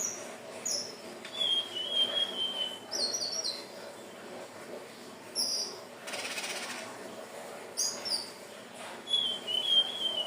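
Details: Hill blue flycatcher singing for use as a lure: high, clear whistled phrases with gliding, falling notes, repeated at intervals with pauses, a brief burst of hiss midway.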